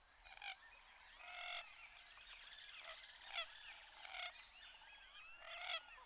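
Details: Common gallinule producing several short, harsh, rasping harmonic bursts spaced one to two seconds apart, over a faint background of thin twittering and chattering calls.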